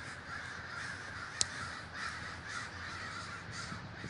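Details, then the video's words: Large communal crow gathering at Davis, California: a dense chorus of harsh caws from many birds, broken by one sharp click partway through. "The Great Gathering of Crows"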